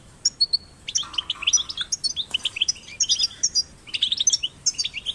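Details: Goldfinch chicks, caged and outdoors, singing for stimulation: quick, high twittering phrases with sliding bright notes, steady and busy throughout.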